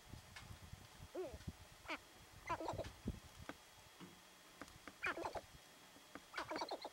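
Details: Sharp-tailed grouse, several birds being territorial in Theodore Roosevelt National Park, North Unit, recorded 10 June 2017; scattered short cackling and clucking notes with a few rising whoops, separated by quiet gaps.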